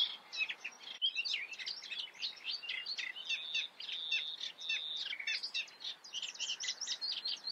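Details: Eurasian reed warbler from the Eifel delivering its song: a jerky, churring run of harsh and whistled notes, some held briefly, repeated in uneven groups with a steady rhythm throughout.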